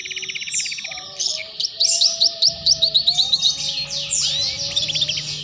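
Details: Canary song played as a lure recording to teach young canaries the ngeriwik trill: fast high chirps, then a run of crisp repeated notes and buzzy rolling trills, over a steady low hum.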